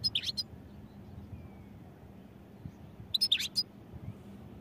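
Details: European goldfinch giving two short bursts of high, bright twittering notes about three seconds apart, with low background hum between them.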